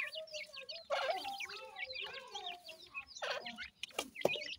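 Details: Francolin chicks during feeding: a flurry of quick, high-pitched chirps mixed with a few louder clucking notes and sharp clicks, all irregular and overlapping.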